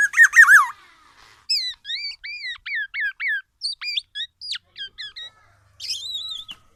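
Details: Black-naped oriole opening with a harsh, rapid burst, then a string of clear arched whistled notes, short sharp chips and a final buzzy phrase, with no other sounds.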